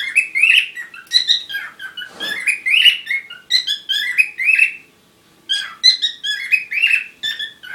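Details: Parrot chattering during courtship: rapid warbled, buzzy notes with harmonics, short phrases tumbling together, a brief pause near the end before the chatter resumes.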